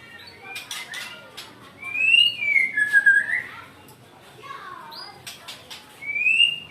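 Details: Angry white-rumped shama giving clear whistled phrases that rise then fall, separated by sharp clicking notes and quieter pauses.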